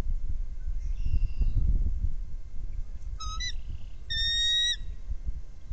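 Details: Bald eagle of a trio at a nest, recorded by a nest camera: a short, high, chirping burst followed by a longer series of piping, slightly rising notes, over steady low wind rumble.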